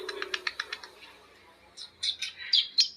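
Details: Several lovebirds trading long ngekek chatter, a quick series of ticking chirps followed by shrill, high squealing notes that overlap near the end.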